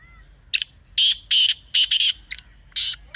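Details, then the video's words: Harsh partridge (teetar) call, meant to bring kept black or desi partridges into calling mood: a brief thin whistle, then a fast string of loud, scratchy broadband syllables, some doubled, with short gaps between. "Teetar Ki Awaz Ko Mazboot Karne Ka Tarika | Teetar Ki Masti . تیتر کی آواز کو مضبوط کرنے کا طریقہ"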